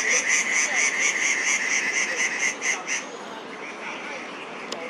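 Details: Crested goshawk at Daan Forest Park, early morning on 3 August 2022, where a young female was active; a rapid series of evenly repeated sharp notes, about two per second, fading out after three seconds over steady background hiss.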